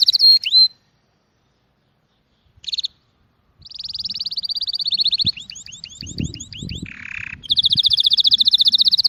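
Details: Bird song in bursts: a short whistled phrase, a brief chip, then a long rapid trill shifting into curved notes and a lower buzz, ending with another fast high trill; faint low rumble beneath.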